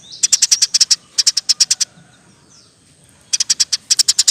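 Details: Eurasian tree sparrow in lively 'roll tembak' style, kept as a master recording for training songbirds; two bursts of about eight sharp, high chirps in quick succession, separated by a quiet gap of roughly a second and a half.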